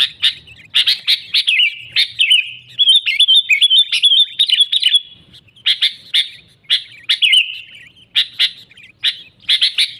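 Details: Kutilang, the sooty-headed bulbul, singing energetically as a lure for catching wild birds; clustered clear chirps and a longer warbled run, phrases returning every second or so with short silent pauses.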